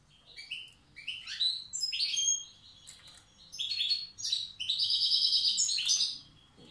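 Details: Old-style song of a wild goldfinch from Tiaret: separate bursts of chirpy, twangy notes that grow into a rapid, continuous tinkling trill near the end.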